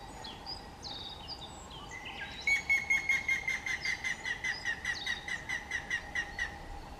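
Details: Grey-headed woodpecker, May 2024: after a few chirps from other birds, a long run of around sixteen piping whistled notes, steady and gently falling in pitch, delivered at a brisk, even pace for four seconds.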